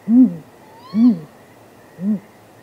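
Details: Great grey owls heard off camera at midnight on 23 April 2019 while courting, with possible mating: three low soft hoots, the last quieter, and one faint upward-sliding whistled note over the second.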